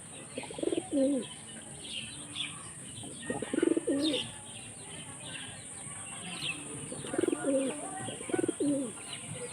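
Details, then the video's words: Low pulsed coos from a pigeon trained for hunting in Jessore, Bangladesh, repeated in short bursts about every three seconds over a steady hiss and rural background noise. "শিকারি কবুতরের রহস্যময় ডাক"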